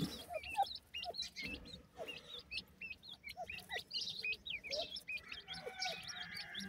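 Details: Grey francolin chicks with their parent pair, known locally as dakhni teetar, giving soft, steady peeping: high hooked notes repeated several times a second, with lower short chirps in between over a faint background hiss.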